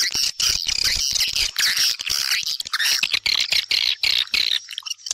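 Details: Swiftlets, a sound used to lure them into a house: a dense, continuous chorus of high, buzzy chirps and twitters, many callers overlapping in rapid pulsing bursts with brief gaps near the end.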